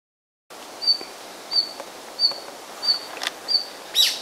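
A red-flanked bluetail gives six short, thin, high whistled calls, about one every two-thirds of a second, over a quiet woodland hush.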